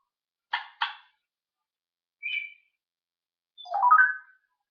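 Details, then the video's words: Talking parrot filmed on 1 June 2013. Two harsh, rasping bursts come in quick succession, then a brief thin whistle, then a longer warbling, speech-like phrase with rising and falling pitch. There is quiet between sounds. "The Talking Parrot"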